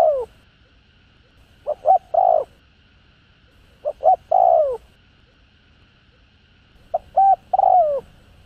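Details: Spotted dove cooing used to stir kept birds into calling: three phrases, each two short soft notes then a longer slurred coo, repeated about every two and a half seconds over faint hum.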